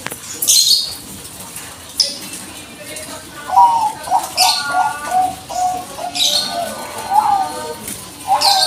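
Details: Bangkok-type zebra dove used to provoke replies, giving bursts of short, wavering coos in broken runs. Loud, high, scratchy chirps from other birds come in several times.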